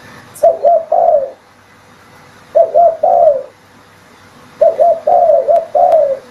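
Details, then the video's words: Spotted dove coos played as a lure: three groups of rippling double notes followed by longer descending coos, spaced by gaps of over a second, with a faint sharp click near the start. "Suara pancingan burung tekukur"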